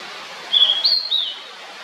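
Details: Blue-and-white flycatcher: a short clear whistled phrase of three linked notes, level then slurred up and down, lasting under a second against a quiet background hiss.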